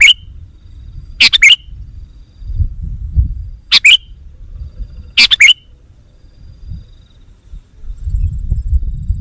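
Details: Sooty-headed bulbul call used as a lure for wild birds: four chattering bursts of rapid sharp notes, some with a downslurred ending, irregularly spaced over about nine seconds against low background rumble.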